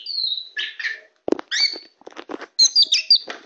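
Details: Tame white-rumped shama on a hand: a long clear whistle, then buzzy chattering notes, a loud click, and bright rapid whistled phrases.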